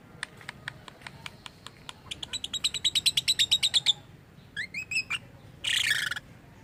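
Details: Lovebird with strange calls, described as mimicking human voice: a series of ticking notes speeding into rapid bright chirps, a few squeaky swoops, then a harsh buzzy screech.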